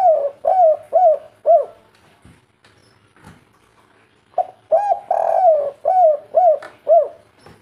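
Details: Local wild spotted dove giving kuk 3 cooing: four soft, bowed coos, then a pause with faint knocks. A second burst brings a drawn, rolling coo followed by several short repeated ones.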